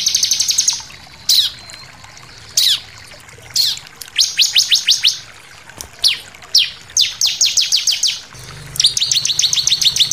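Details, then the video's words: Bar-winged prinia giving high, sharp downslurred chips, single or in quick bursts of four to eight notes with short pauses, used as a lure to provoke singing; faint low hum near the end. "pancingan ciblek bahan langsung emosi nembak"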